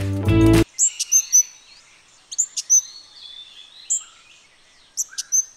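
Sri Lanka hanging parrot giving thin, shrill, very high squeaks in quick pairs and triplets, spaced over several seconds, after a brief burst of music.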